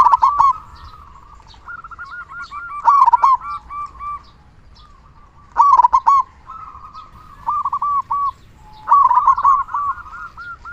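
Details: A local zebra dove from Indonesia, singing loudly and often, used as a lure to stir other doves into song. Gurgling, arched coo notes run in clusters a few seconds apart, with sharper clicking accents at the loudest bursts.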